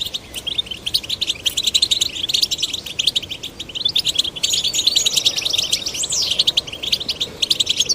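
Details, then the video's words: Male and female goldfinch chicks, caged and encouraged to sing, pour out a busy, high twittering song of rapid chirps, buzzy notes and a slurred rising-falling whistle, unbroken throughout. "Stimulating male and female goldfinch chicks to sing birds chirping"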